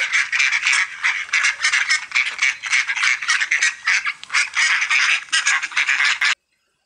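A duck gives harsh, nasal quacks in a fast, uneven run of about two or three per second for six seconds, with no other sounds.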